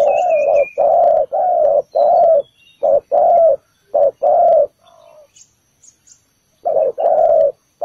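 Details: Spotted dove decoy luring birds to a trap, giving a run of low paired coos, short note then long, pausing briefly mid-series before resuming, with thin high bird chirps around it.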